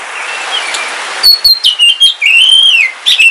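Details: Captive black Kalimantan oriental magpie-robin singing during rain: clipped whistled notes climbing into a long level whistle that falls away, then a short chirp, light rain hiss throughout.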